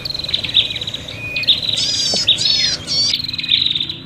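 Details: Noisy prinia lure calls of birds in a fight: high rapid chip trains broken by fast buzzy rattles and a descending squeaky note, many calls tumbling over one another.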